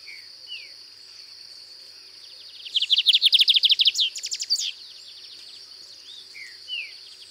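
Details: Lined seedeater singing a distinctive song at a rural farm in Cunha, Brazil: soft slurred whistles, then a loud rapid series of buzzy high chips lasting about two seconds, with a steady high insect drone throughout.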